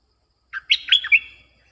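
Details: Used to attract wild birds, a streak-eared bulbul gives a short bubbly phrase of three or four liquid, whistled chirps, the last one higher and clearer, with a faint low hum beneath.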